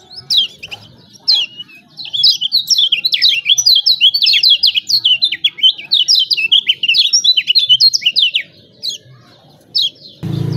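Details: Lemon-bellied white-eye from Lombok, a caged bird singing energetically, used as a lure to prompt reluctant birds to sing: rapid high, thin chirps and twittering notes in dense runs, with short pauses near the start and end.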